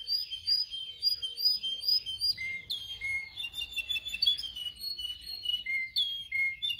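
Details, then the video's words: Canary song recorded for training young canaries to sing: high, rapid twittering phrases with short whistled notes, shifting into sharper chirps and clear repeated whistles near the end. "Canary training 0.25 Hour canario canary song"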